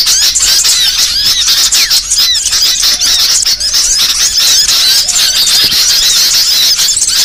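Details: Small songbird (burcil) song for tutoring cage birds: a nonstop stream of shrill twitters, squeaks and fast rising and falling notes, loud and evenly dense throughout.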